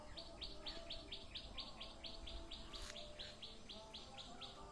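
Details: Bird chirping in green village countryside in Assam, India: a rapid series of short, high, slightly downslurred chirps, about two per second, over a low rumbling background hum with faint insects.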